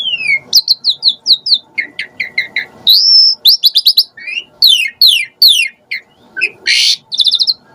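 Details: Asian pied starling (jalak suren) sound used to lure starlings and make them sing actively: loud, varied sequence of sharp descending chirps, a sustained rising whistle, rapid repeated notes and a harsh burst near the end.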